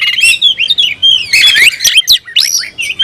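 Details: Oriental magpie-robin in loud rival-seeking song: a quick run of bright, looping whistled phrases mixed with scratchy notes, delivered almost without a break.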